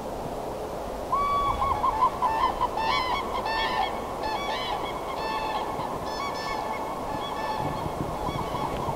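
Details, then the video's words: Cranes giving loud, rolling trumpeting calls in quick overlapping bursts for several seconds over a steady roar of wind, recorded binaurally in open scenery. "crane, wind & some scenery"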